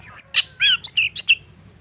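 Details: Brief burst of lure song from a persistent long-tailed shrike, used to make other shrikes respond: a high whistle, a harsh rasp, a buzzy note and several quick slurred chirps.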